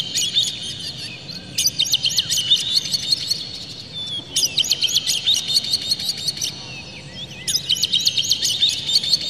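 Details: Oriental magpie-robin song used as a provoking lure to rouse other magpie-robins into singing and tail-opening: loud, clear, harsh phrases of rapid high chirps, trills and whistles in three bursts separated by brief quieter pauses, with faint low background rumble.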